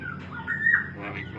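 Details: Talking Javan myna that mimics greetings like Waalaikum Salam, crying and coughing. Gives a short, voice-like tonal utterance with layered harmonics, steady then briefly peaking, lasting under a second, with soft low background hum.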